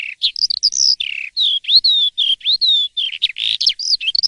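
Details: Morning song of an Asian pied starling, delivered loudly and continuously: varied high whistled notes, some sliding upward, some falling, strung together with short chattering bursts and almost no pauses.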